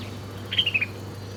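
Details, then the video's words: Birds chirping while eating their breakfast: a quick run of four bright, high chirps, each a little lower than the last, over a steady low hum. "Different Birds Chirping Sound"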